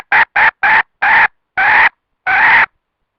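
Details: Wild red junglefowl hen calling as a trapping lure: six loud, nasal clucks. The first ones are brief and quick, and later notes stretch longer with wider gaps.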